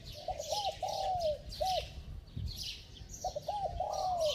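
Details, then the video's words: Spotted dove cooing in a bell-like tone, meant to prompt reluctant wild-caught doves: quick hooked notes leading into a long falling coo, a short pause, then the phrase starts again, over a shrill insect-like background. "Tiếng Chim Cu Gáy Giọng Chuông, Kèm Thúc Gù Tốc Độ II Kích Bổi Lâu Nổi"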